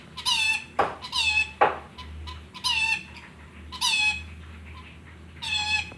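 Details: A rainbow lorikeet copying a chicken gives shrill, rising squawks in short groups with brief pauses between them, over a low steady hum.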